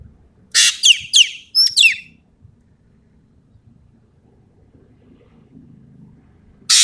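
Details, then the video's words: Common green magpie from Sumatra singing energetically: a harsh rasp followed by three quick, sharp, downward-slurred whistles, then a long quiet gap before another rasp begins. "BURUNG EKEK KELING SUMATERA GACOR FULL MATERI TEMBAKAN"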